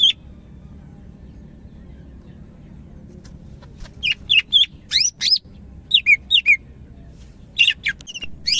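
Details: Greater green leafbird of the Medan type, singing hard after a quiet start: a string of swooping, slurred whistles and rapid chip notes in uneven bursts over faint background hum.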